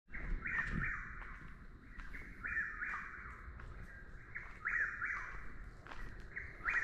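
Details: Chuck-will's-widow calling nonstop, a bird often mistaken for a Whip-poor-will: whistled, rolling three-part phrases repeated roughly every two seconds, with a steady high hum and low rumble behind.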